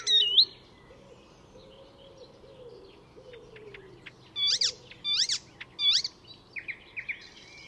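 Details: Mimicking Icterine warbler at Fysingen reserve near Stockholm, Sweden: a quiet stretch with faint low notes, then three loud sharp downslurred chirps in a row and a few softer twittered notes to finish.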